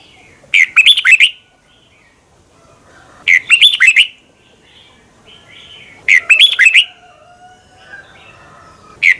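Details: Training song of a red-whiskered bulbul, recorded in the morning in 2020 with long twisting double-voiced phrasing: regular warbled bursts of fast, slurred whistles repeat about every three seconds, four in all, separated by stillness.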